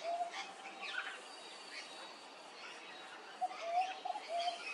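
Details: A peaceful dove at Hervey Bay, Queensland, gives soft, high, rolling coos, one brief phrase at the start and a quick run of notes near the end, over faint chirps from other birds.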